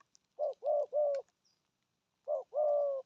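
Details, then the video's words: Spotted dove giving 'thổ âm' cooing: a triplet of low, hollow coos, a pause, then two more coos, the last one longer. "Thổ âm cực phê! thuc gù thúc kèm bài bản"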